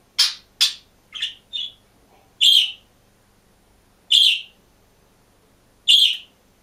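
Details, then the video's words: Caged green budgerigar on its own chirps in a loose series of short, high notes, first quickly, then spaced about two seconds apart. "МИЛЫЙ И ЗАБАВНЫЙ ПОПУГАЙ ПОЕТ И ЧИРИКАЕТ/ОДИН В КЛЕТКЕ"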